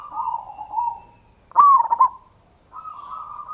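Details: Lure song of a local zebra dove (perkutut), sung to excite other doves into answering. A falling mellow coo, a short gap, then a loud, sudden rolling trill, a pause, and a steady higher coo.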